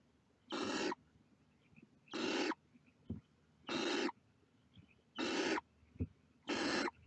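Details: Five evenly paced, harsh screeching hisses from barn owl chicks sticking their heads out of the nest, one about every one and a half seconds, with faint knocks in between.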